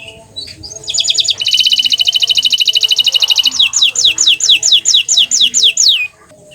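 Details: Bottle-green canary singing sweetly: a high, buzzy rolling trill held for about two seconds, then a series of quick, high downward-sweeping notes repeated steadily.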